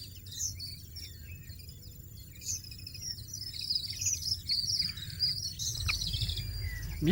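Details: Wild European goldfinch at its nest, placed by the female 1.80 m off the ground, feeding five-day-old young roughly every half hour; rapid high twittering notes build toward the end, with a low rumble and a closing knock.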